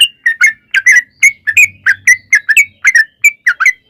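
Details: Sooty-headed bulbul song used to provoke another bird to sing: a brisk series of clear whistled and slurred chirps, roughly three or four per second, some rising and some dropping.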